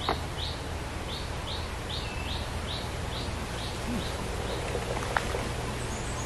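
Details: Scarlet-backed flowerpecker pairing and nest-building: about ten short, high, arched chips spaced evenly over three seconds, then only steady low rumble with a faint click near the end.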